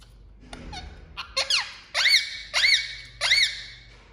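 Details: Pet Indian ringneck parakeet indoors giving loud, harsh rising-and-falling squawks, about three strong calls evenly spaced near the end after a few softer squeaky notes.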